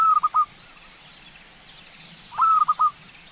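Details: Zebra dove song meant as a singing lure. Two brief, fairly soft cooing phrases, each a high note followed by a few quick stutters, separated by a pause, with a steady high hiss behind.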